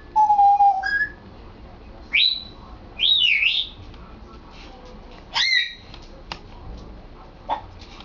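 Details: Captive African grey parrot practising sounds indoors: a steady whistled tone, then twisting, looping whistles and squeaky chirps, ending with a sharp click and a faint note.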